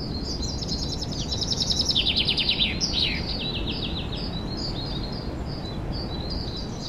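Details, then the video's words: Woodland birds singing in spring, 2023: dense overlapping trills and rapid chirp series, loudest in the first three seconds, with thinner high twitters afterward and constant low noise. "Пение лесных птиц"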